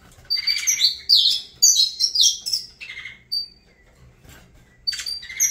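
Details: Singing saffron finch giving bright, high whistled phrases with rising and falling slurs, grouped into rapid clusters that break off, pause briefly, then resume near the end; steady faint low hum in the background.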